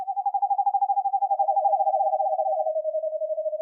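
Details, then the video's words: An eastern screech owl gives a steady, quavering trill that stays on one mellow pitch and sags slightly lower over nearly four seconds, with no other sounds. "Eastern screech owl sounds - Megascops asio - Eastern screech owl call"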